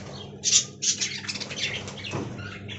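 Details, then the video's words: At an aviary, a budgerigar chatters in fast, raspy, high-pitched bursts, with a few sharp squawks mixed into a scratchy, warbling run of mimicked sounds. "Budgie Talking"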